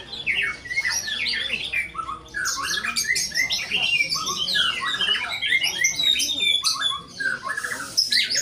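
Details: White-rumped shama performing wildly, with a nonstop jumble of high chirps, slurred whistles and harsh squeaky notes packed tightly together.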